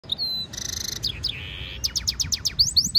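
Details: Goldfinch mule, a European goldfinch hybrid, singing in song training as stimulation song: a fast varied run of high twittering notes, a short buzzy rattle, a flat drawn-out tone, then rapid falling chips and sweeping whistles.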